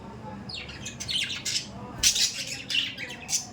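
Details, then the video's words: Budgies chattering busily with overlapping raspy squawks and high twittering notes, growing louder in the second half. "Budgies parrot daily update"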